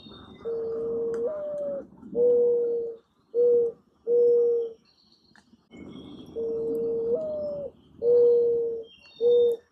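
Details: A Mourning dove (Zenaida macroura) gives its low, mournful cooing song twice, about six seconds apart: a drawn-out coo that rises and falls, then three steady hoots ("coo-ah, coo-coo-coo"), the song males use to attract a mate.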